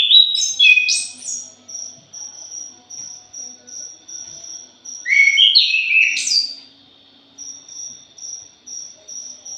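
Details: Thrush, known locally as punglor jali, used as a lure recording: two loud bursts of rich, varied whistled phrases with quick slurred and buzzy notes, separated by several seconds, over a steady high pulsing cricket trill.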